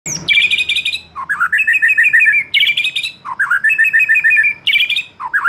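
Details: Lure song for a young wild-caught white-rumped shama losing its juvenile spotted plumage, meant to make it sing loudly: bright, rapid chattering trills alternate with lower, looping slurred notes, each phrase recurring about every two seconds, clear and close.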